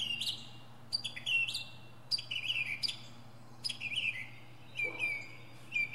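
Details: Northern mockingbird singing from a pine treetop, repeating a sharp high note followed by a falling slurred whistle roughly every second, showing its varied imitative repertoire, with low hum in the background.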